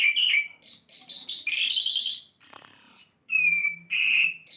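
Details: Asian lark in song, a lively varied medley of whistled slurs, rapid buzzy trills and a long high sustained note, phrases broken by short pauses, one bird close and clear.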